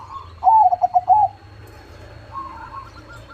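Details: Perkutut or zebra dove of the crossing type with a big voice: one loud stuttering cooed phrase of quick pulses under a second long, followed by faint distant trilled cooing from other birds.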